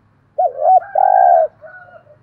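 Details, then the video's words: Spotted dove decoy with a 'giọng thổ' voice, meant to make wild doves call. It gives two short rounded coos, then one long steady coo, followed by a faint softer tail note. A slight low hum runs underneath. "Chim Cu Mồi, cu gay giong tho cuc dinh"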